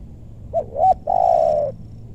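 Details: A single loud spotted dove phrase, recorded while luring wild doves in West Bogor's meranti forest: two short, rounded coos followed by a long, level, rough croo that fades at the end.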